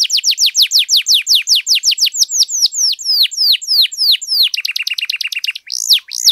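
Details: Gacor canary song aimed at getting silent canaries to sing quickly: a long steady series of high down-slurred whistles, about three each second, closing with a fast choppy trill and sweeping upward whistles.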